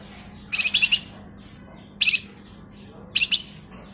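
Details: Male flamboyan, singing nyerecet and ngebren to serve as a lure: a fast buzzy trill followed by two shorter high chirp bursts about a second apart, with a low hum behind.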